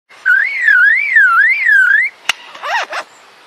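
A lyrebird gives a clear, wavering whistle that rises and falls about twice a second for two seconds, then a sharp click and a few quick falling whistles.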